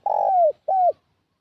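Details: End of a spotted dove lure phrase for drawing in wild doves: a long, burry coo that tails downward, then a shorter arched coo, followed by silence.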